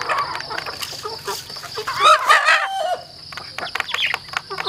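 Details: Farm chickens kept at a rural home, with several birds calling together: busy overlapping clucks, then a louder harmonic squawking call rising and falling near the middle, over a steady high insect-like hum.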